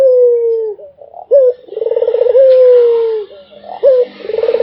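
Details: Barbary dove, a puter kept as a cage bird, repeating low cooing phrases: a long level coo, a short rising note, then a rolling pulsed coo drawn out and falling, then another short note and rolling coo.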